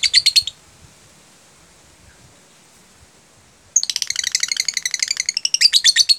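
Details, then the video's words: Lovebird 'jeda rapat' song used to encourage lovebirds to sing the same way: a short chirp burst, three seconds of quiet, then a long, dense run of high, rapid chirps. "pancingan LOVEBIRD jeda rapat"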